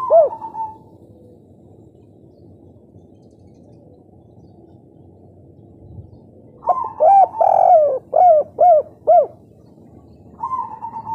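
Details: Local spotted dove (derkuku, tekukur) singing in the kuk 3 style: a soft mid-pitched coo opens, then after a quiet pause a run of about six rounded, arching coo notes, ending with another drawn coo.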